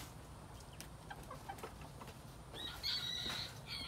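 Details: Quail in spring 2021, with a thin, high, drawn-out whistle that holds steady for nearly a second, following a few faint chirps in a noisy background.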